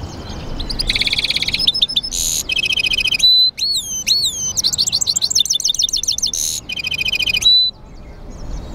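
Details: Loud, varied song from a European goldfinch mule: fast chattering trills, a harsh buzzy burst, pure whistled notes, and repeated swooping twitters, delivered in quick phrases with brief pauses.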